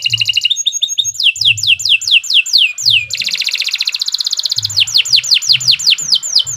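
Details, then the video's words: Canary in long, continuous song for teaching other canaries: mixed rapid trills and repeated falling whistles, a sustained dense rolling trill in the middle, then more swooping whistled notes, with low background hum. "Kicau Burung Kenari II GACOR PANJANG Cocok untuk Masteran"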